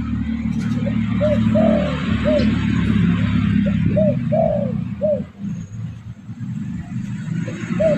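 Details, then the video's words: Spotted dove lure call used to attract other birds: phrases of short rounded coos with one longer drawn-out note, repeated several times over a steady low hum and background rumble. "Suara pancingan burung derkuku bakalan ampuh"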